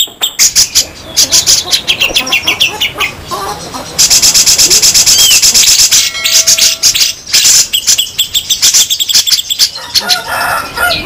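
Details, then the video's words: Grey-cheeked bulbul, local and Sumatran birds, in a harsh besetan song used as tutoring material: dense, raspy buzzing bursts repeated nearly three times a second, with one steady high-pitched rattling stretch and brief whistled notes. "Masteran super kasar raja besetan jenggot lokal vs sumatera"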